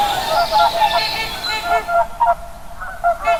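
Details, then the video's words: Swans give nasal, trumpeting honks, several overlapping and uneven, with rich harmonics and a short quieter gap before a last few calls. "listen to the sound swan"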